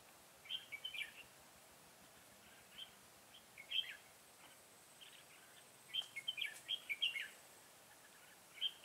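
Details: Decoy red-whiskered bulbul singing in a fight to lure wild bulbuls into a trap, 25 September 2018; short bursts of quick warbled, chirping notes in three separated phrases, with faint background hiss and a person speaking nearby.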